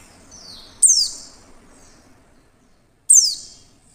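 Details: Female Oriental white-eye producing clear calls meant to prompt other white-eyes into singing: a faint high whistle, a shrill steeply falling note, a quiet pause, then another matching piercing downward note.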